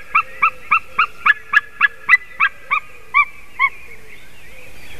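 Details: White-tailed eagle recorded on 28 March 2019 at 06:26, giving a fast series of about twelve yelping, harmonic notes at a steady rhythm that slows and fades toward the end, over a quiet background.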